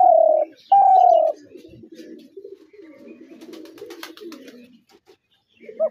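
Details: Spotted dove calling: two loud, level coos open the recording, followed by several seconds of softer, lower warbling coos and a last brief note at the close.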